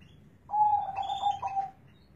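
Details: A single song phrase from a zebra dove described as having a loud, bassy voice. A steady coo breaks into a series of quick rolling pulses and then tails off. A low hum runs underneath.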